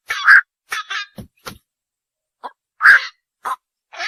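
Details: Night heron giving two loud, hoarse 'kwok' squawks about two and a half seconds apart, with softer rough notes and clicks around them.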